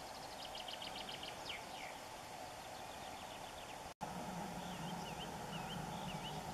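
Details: White wagtail nesting on a dead tree forming an islet in a river, giving quick, high twittering notes, then sharp two-part chirps about once a second, over a steady rumble of distant traffic.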